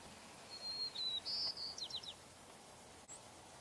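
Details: White-crowned sparrow singing a slightly different song variant: a long, thin, high whistle, a brief buzzy note, then quick descending chirped notes and a short trill, ending about two seconds in, over faint background hiss.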